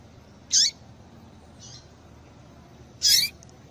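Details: Yellow-bellied seedeater female giving the call meant to stir males into song: two loud, high, clipped chirps about two and a half seconds apart, with a faint softer chip between them.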